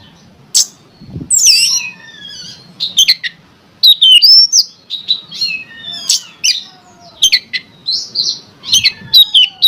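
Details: Energetic Oriental magpie-robin song used as a provocation for other magpie-robins, packed with rapid whistled slurs, scratchy buzzes and sharp chips, nearly continuous after a short opening.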